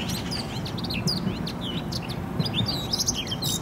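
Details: Eurasian blackcap song in spring 2018, Poznań: quick, high chattering notes and short fluty phrases, possibly from more than one bird, over a steady low rumble.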